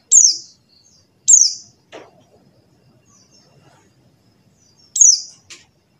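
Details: Pleci buxtoni white-eye call, played to coax non-singing white-eyes: three piercing high downslurred notes, two close together then a pause before the third, with a couple of short clicks between.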